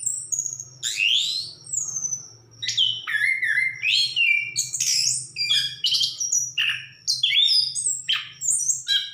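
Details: Orange-headed thrush (anis kembang) in full song, pouring out a dense string of high, varied whistles and chattery notes, some swooping downward, with a faint low hum beneath.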